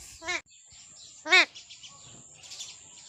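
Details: Pet parrot making two short, harsh, rasping calls about a second apart, with a steady high tone and quiet background noise in between.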